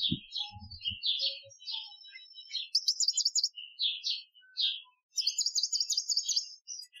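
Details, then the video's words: European goldfinch, Algerian training song style, 2015: lively run of twittering notes and liquid chirps, then quick buzzy trills and a long high rattling passage, a few low knocks at the start. "Chardonneret Chant Algerien 2015 , chant de dressage"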